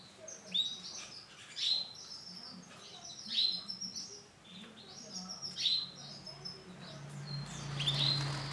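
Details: Male canary, orange and black colour variety, repeats short sharp high downslurred notes about every second, a bright chipping series with a faint low hum underneath.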